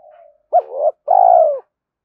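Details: Spotted dove coo for rousing decoy birds and training lure birds: a faint soft coo, then a brief arched note followed by a drawn-out, vibrating coo that slowly falls at the end.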